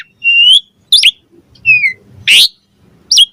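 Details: Asian pied starling (jalak suren) singing, used as a master and lure to make other starlings answer and sing: loud slurred whistles and harsh rasping notes in short separate phrases, with faint low background rumble.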